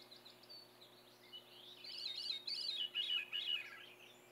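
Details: Singing Veery at Saint-Antonin, Québec, cold morning of 14 June 2020: a breezy, reedy cascade of looping, echoing notes descends in spirals over two seconds, with faint chirps of other birds before it.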